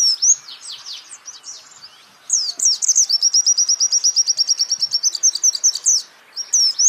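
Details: White-eye singing on a training recording for songbirds: soft, scratchy high twitters at first, then a loud burst opening into a fast, regular trill of repeated high notes, closing with brief twittering.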